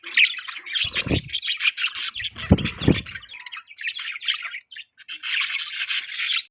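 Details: Budgerigars feeding and chirping steadily: busy, high, buzzy warbling chatter that runs almost without a break and pauses briefly near the end, with a few low knocking sounds early on.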